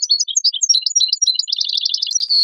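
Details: Goldfinch song meant for training young songbirds: dense, jumbled twittering of high, tinkling notes without pause, finishing in a sustained buzzy tone.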